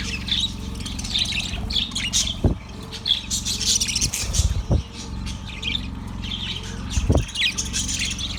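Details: Chattering yellow budgerigar, February 18, 2024, with warbled high chirps running in phrases, interrupted by a few sharp knocking clicks, over a persistent low droning hum.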